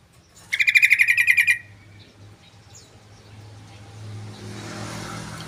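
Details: A sooty-headed bulbul in lively song delivers a quick burst of chattering notes, evenly spaced for about a second, before a passing vehicle's rumble rises in the background.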